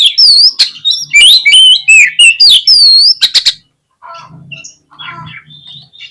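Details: Oriental magpie-robin song used to trigger a fighting response and tail-spreading: a dense, fast series of loud, bright whistles and clicks for three seconds, then softer chattering notes with a low hum.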